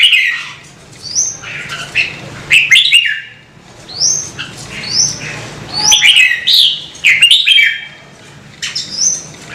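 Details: Red-whiskered bulbul song, played to encourage birds to sing: a lively run of quick upslurred whistles and tumbling warbles, phrases clustered in bursts with short pauses over nearly ten seconds.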